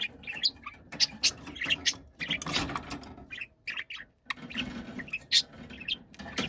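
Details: A noisy, angrily shouting budgerigar gives a jumble of shrill squeaks and raspy chirps in quick, irregular succession, broken by one short pause midway.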